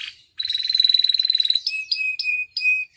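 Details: Masteran and pancingan canary in gacor song full of isian: a long even rapid trill of more than a second, followed by a series of short paired notes with a lower whistled tail.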